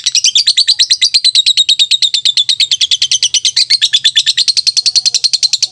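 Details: Lovebird in continuous rapid chattering, a dense run of shrill high squeaky notes pulsing several times a second without a break; soft low hum in the background.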